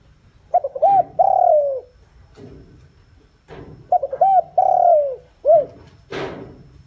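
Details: Decoy spotted dove giving its luring call for wild doves. Two cooing phrases, each of short stuttered notes, a longer sliding-down coo and a curt end note. A dull thump follows.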